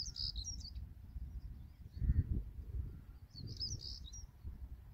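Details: Stonechat at Greenham Common on 28 March 2022. Two short bursts of high, thin chirping notes, one at the start and one near the end, over heavy low rumbling wind noise.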